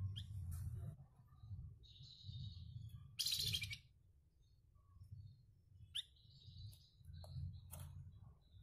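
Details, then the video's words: Energetic flamboyan, kept as a master bird for competition songbirds, with a coarse voice; scattered short harsh buzzy bursts and a sustained high rasping note, separated by pauses, against steady low-pitched rumble. "FLAMBOYAN GACORR,SUARA KASARNYA KEREN BUAT BURUNG GANTANGAN"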